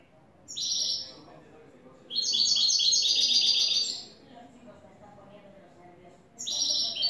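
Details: Newly acquired European goldfinch singing a clean song of the style called "tres vueltas". High tinkling, twittering phrases come in bursts, with one long rapid trill in the middle, over a faint murmuring background.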